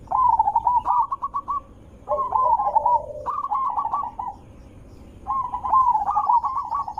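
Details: Zebra dove lure song, loud and melodious: four bursts of quick stuttering coos, one ending in a lower purr, separated by short silences.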